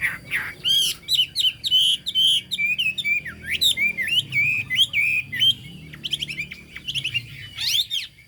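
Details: A Chinese hwamei delivers a continuous, loud song of varied whistled notes, with sweeping slurs, quick trills and sharp upward flicks, crowded closely together.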